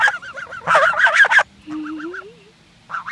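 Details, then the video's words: Geese recorded in 2014 give loud, harsh, clustered honks in a quick burst, then softer repeated nasal notes over a long low rising moan, before another honk starts. "2014 geese talking"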